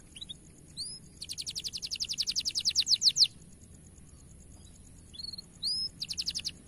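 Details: Bright-coloured canary in a loud training song: a scattering of thin whistled chirps, then a rapid trill that grows steadily louder over two seconds, a pause, more swept chirps, and a short trill burst, over a faint steady high hiss.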